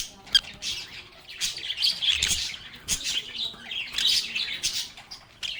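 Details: Chatting lovebirds, also called parakeets, in a peaceful setting: continuous bright, squeaky warbling and chirps rising and falling in waves, several birds calling at once, with a few clicks.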